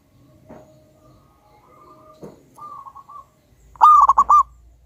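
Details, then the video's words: Quiet distant cooing and a couple of soft taps, then a loud bubbling zebra dove phrase of rapid rolled notes from a local wild-type bird with a big voice, over a low hum. "Pancingan burung perkutut Lokal Alam super Gacor suara Besar"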